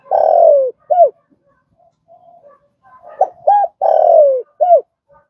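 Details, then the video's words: Spotted dove, a trained caller, finishes a long falling coo and short coo, gives soft quiet murmured notes, then repeats the full phrase of short hollow coos and a long descending coo. "Tiếng cu gáy"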